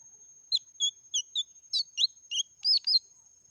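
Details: Lesser green leafbird, song in the meratoh style: a brisk sequence of clear whistles and chirps, some doubled, ending in a run of higher squeaky notes, with a thin continuous high tone behind.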